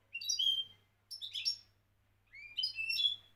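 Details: Goldfinch of Moroccan champion standard giving three short phrases: a liquid rising twitter, a brighter jangling burst, then a rising slur followed by trilled notes.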